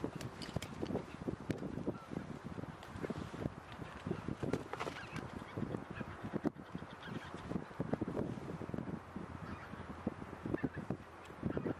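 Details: Large grazing goose flock in the Floris Schouten Vrouwenpolder, January 2017, mainly Greater White-fronted Geese among Tundra Bean, Egyptian and Barnacle Geese; dense, continuous overlapping honks and cackles, with wind rumble underneath.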